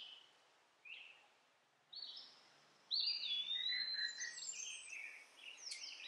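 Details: A baby sunbird found in a backyard, hand-fed orange and mealworms, gives a few isolated high chirps, then a burst of thin, wavering squeaky calls.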